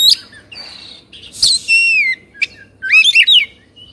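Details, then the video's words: Agitated Oriental magpie-robin kept in Indonesia, puffing up and opening its tail; clear long downslurred whistles, a sharp click, then a rapid tumbling series of loud chirping notes. "Suara Kacer Emosi/Kongslet"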